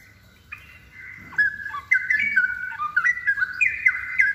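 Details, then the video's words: Straw-headed bulbul singing gacor: a quiet start, then loud melodious gurgling whistles in quick rising and falling steps, phrases tumbling almost continuously to the end. "suara cucakrowo gacor"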